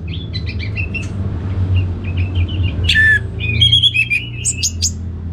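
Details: Orange-headed thrush, a kept bird from Singaraja in North Bali, used in a bird-training sound therapy recording; short whistled and chirping phrases, then a brighter rising burst of varied notes over a steady low hum.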